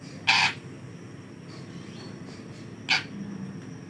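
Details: Young long-tailed shrike, teased by hand, gives two short harsh rasping bursts about two and a half seconds apart over a quiet background.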